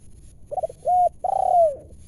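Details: Wild spotted dove coming in to a lure during trapping, loud and clear-voiced: two quick stuttering notes, then two low mellow coos, the last long and sliding slightly downward, on a quiet background.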